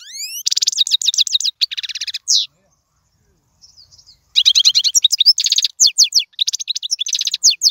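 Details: Goldfinch song for tutoring young birds opens with a rising whistle into fast metallic trills. After a two-second silence, lively chirping resumes with sharp, sliding twitters.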